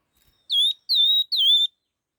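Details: Laughingthrush singing in the fast 'hót kích nhanh' style: three loud, clear whistled notes, each sliding down and then holding level, delivered in quick succession with short gaps, on a silent background.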